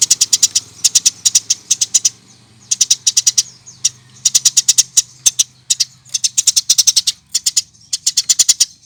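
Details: Eurasian tree sparrow, a recording meant to coax other birds into singing: nearly continuous runs of quick, clipped high chirps in groups, brief gaps between bursts, a steady low hum in the background.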